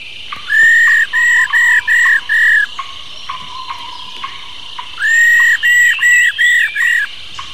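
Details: Old wild-caught female white-browed laughingthrush singing in the 'rò' style to stir male birds; two bursts of five or six strong, flat whistled notes in quick succession, separated by a quieter pause with soft rising trills and steady hiss.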